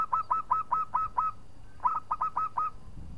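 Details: Zebra dove of local stock singing to goad a rival: two bursts of six and five clipped, hooked coos in even rhythm, a brief pause between them, with a soft low hum behind.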